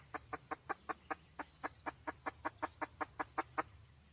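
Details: Steady clucking from a red junglefowl hen, 2023: about sixteen short, hollow clucks at an even pace, roughly five per second, over a low background hum.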